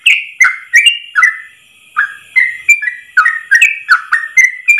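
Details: Ropel-style Yellow-vented bulbul song, one long breath, recommended as tutor material: lively gurgled whistles in quick runs, a brief pause near the middle, then dense paired notes again over faint hiss.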